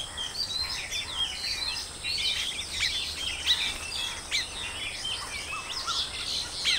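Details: Chorus of Baya weavers at their colony. Many birds give rapid, scratchy chirps and buzzy twitters that rise into a busier burst midway. Scattered sliding notes sound throughout, over constant faint background noise.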